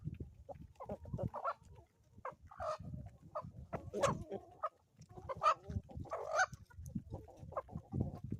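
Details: Chickens on an Ozarks homestead in the morning, giving a busy run of short clucks and rising squawks, some overlapping, with low thumping and rustling beneath throughout.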